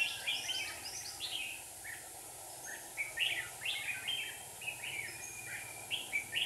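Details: Red-whiskered bulbul decoys used in a trap to catch a wild bird in Hòa Bình, Vietnam, two caged lures present; bright, warbling whistled phrases rising and falling, given in quick irregular bursts over a steady background hiss.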